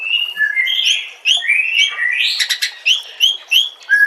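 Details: Training compilation of White-rumped shama song: fluid whistled phrases sliding up and down, a burst of harsh, scratchy notes in the middle, then a series of clear, loud, rising whistles repeated roughly every third of a second.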